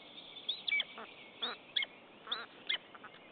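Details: Two common buzzards at a nest in Estonia on 10 April 2015 call during a mate's visit without prey. Short high squeaks alternate with soft, grating, lower-pitched sounds.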